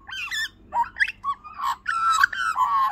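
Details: A young female Australian magpie visiting a backyard, one of several that eat from the hand, gives a run of harsh, warbling squawks and squeaky notes in short bursts, rising and falling over three seconds.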